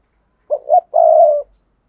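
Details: One coo from a spotted dove used to attract wild doves: two short notes, the second rising, then a drawn, even coo that fades, in a quiet setting.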